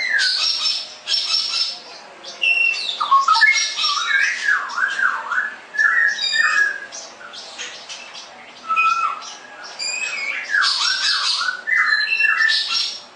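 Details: Straw-headed bulbul (cucak rowo) in full ngerople song, a dense stream of loud swooping, gurgling whistles that rise and fall, with rich bubbly phrases repeating in bursts every second or two and some higher chattering notes mixed in.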